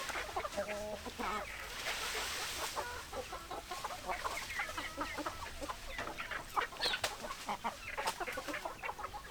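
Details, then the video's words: Chickens in a crowded flock, steady clucking and chatter throughout, with a few short stacked calls early on and a faint hiss in the background. "Chicken Sounds Noises Hens Clucking Roosters Crowing"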